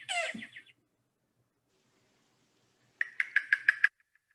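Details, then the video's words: Yellow-billed cuckoo song, played as an example, follows a brief harsh, noisy sound: a quick run of about six hollow, wooden knocks at mid pitch, evenly spaced, described as not even sounding like a bird. "So let's listen to the yellow-billed cuckoo first, and I'm going to play its song and then the call."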